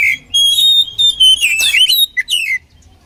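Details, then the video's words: Oriental magpie-robin combination song for training birds: a long clear level whistle, then twisting slurred phrases and two short downslurred whistles before fading. "SUARA KACER KOMBINASI AMPUH UNTUK MELATIH MENTAL KACER"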